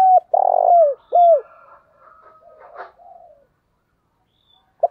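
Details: Lure spotted dove calling wild doves in the thúc bổi style. A loud burry coo and a down-slurred coo end a phrase. Softer, fainter cooing follows, then a brief clipped note.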